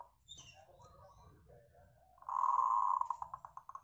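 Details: Local zebra dove singing as a lure to set other birds off: a drawn-out, even coo that breaks into rapid pulsing notes fading away at the end, with a quieter coo before it.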